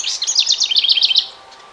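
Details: House wren at a nest box as the last nestlings prepare to leave for a nearby hemlock tree; a rapid series of about eight high, sharp chirps over one second, then quiet.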